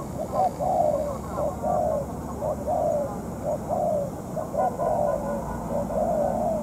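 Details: Spotted dove decoy in a trap, still molting, calling against a wild dove. Soft hooting coos repeat in uneven phrases. Faint speech and a vehicle can be heard in the background.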